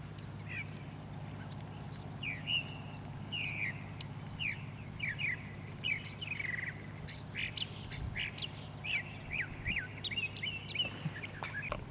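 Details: Northern mockingbird singing on Cape Cod, Massachusetts, in mid-October, hitting all notes: a varied run of repeated chirpy, slurred phrases, each type given several times before switching, over a steady low hum.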